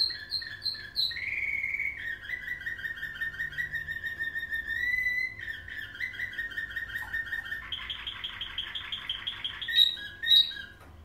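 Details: A Belgian canary trained to nightingale-style song, recorded 20 March 2017, sings a long song of rolling trills, bubbling phrases and sweet whistled notes.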